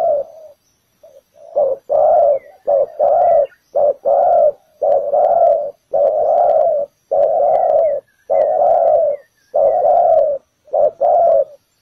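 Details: Spotted dove decoy at a ground trap calling insistently, a brisk series of deep, even coos grouped in pairs, roughly one per second throughout.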